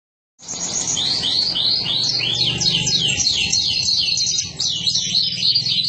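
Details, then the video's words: Canary song: rapid, varied high trills and sweeping whistled phrases, repeated in quick succession, with a low hum beneath. "اجمل تغريد للكناري"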